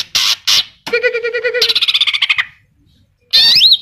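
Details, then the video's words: Greater green leafbird singing energetically, its song filled with mimicked kapas tembak and cililin phrases: two harsh chirps, then a fast rattling trill of rhythmic notes that quickens and fades, followed after a pause by a high, twisting whistle. "Cucak Ijo Gacor Full Isian Tembakan Kapas Tembak dan Cililin"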